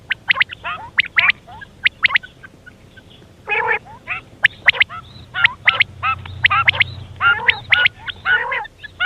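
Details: Busy quail calling: dense, overlapping sharp pips and rough buzzy notes follow one another almost without pause, sounding like more than one caller, over a low hum.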